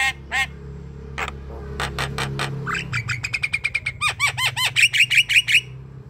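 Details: Javan myna (jalak kebo) singing, used as a lure to spur a lazy bird to sing: harsh broadband bursts, then a fast run of clicks and repeated arched whistled notes rising into a rapid chattering series, with low steady hum beneath.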